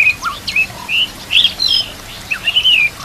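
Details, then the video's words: White-rumped shama singing a rich, varied run of clear whistles and quick rising and falling phrases, high-pitched and fluid, with short pauses between bursts, used as a training recording. "TERAPI MURAI BATU YANG AKAN MEMBUAT BURUNG BIASA JADI ISTIMEWA"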